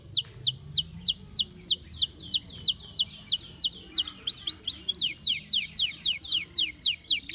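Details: Canary over birahi, highly excited in breeding condition, delivering a loud, unbroken roll of quick descending whistled sweeps, about three per second and evenly spaced, for the whole stretch.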